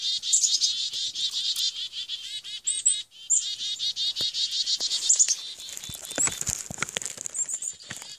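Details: Chickadee in an attack, phone recording: dense, scratchy buzzing notes pour out in fast succession, dotted with high piercing squeaks, while clicks and rustling handling noise join in the final seconds.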